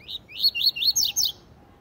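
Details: Double-collared seedeater giving a tui tui zel zel song for training youngsters: a brief high note, then a clear series of about five ringing whistles, rising at first and ending in steep downslurs.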